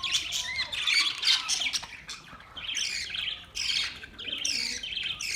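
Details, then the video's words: Budgerigars chattering with harsh squawky warbles and high chirps overlapping continuously. "Budgies birds chirping sounds"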